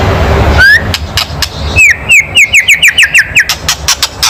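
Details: White-rumped shama kretekan, a loud provoking call: a single rising whistle, then a fast, even series of about a dozen sharp, falling whistled notes repeated several times a second over faint noise.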